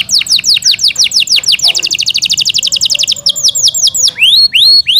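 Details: Yorkshire canary in captivity, its falling notes quickening into a fast trill, then slowing into slurred whistles and sharp upward sweeps.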